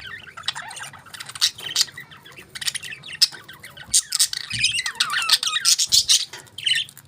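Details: Several budgies enjoying a favourite food, chattering in a continuous stream of warbled, twisting chirps and harsh squawks that grow busier toward the end, with soft low knocks in the background.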